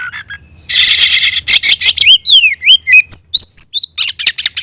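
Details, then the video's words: An oriental magpie-robin in full, vigorous song while looking for a rival: a dense scratchy burst, then rapid sharp notes mixed with clear swooping whistles that slide up and down, varied and loud. "suara burung Kacer mencari musuh"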